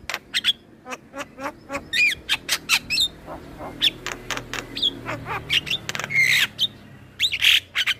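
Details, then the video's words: Vigorous male black-winged starling song meant to teach other birds: rapid sequence of sharp clicks, whistled slurs and harsh screeches, packed almost without pause, with a loud noisy squawk near the end. "Suara Jalak kebo Jantan Gacor Isian Buat Jalak Kebo Bahan Ikut Bunyi"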